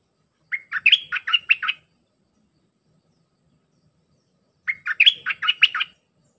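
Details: Red-whiskered bulbul delivering tightly packed 'sap dok' song phrases, meant for teaching young hand-reared birds: two fast, bubbly whistled phrases of about seven notes each, separated by roughly three seconds of silence.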